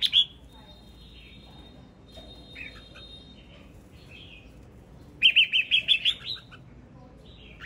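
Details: Red-whiskered bulbul male in song, opening with a short chirp and a few soft, scattered notes before a rapid, rolling phrase of six or seven clear whistled notes near the end.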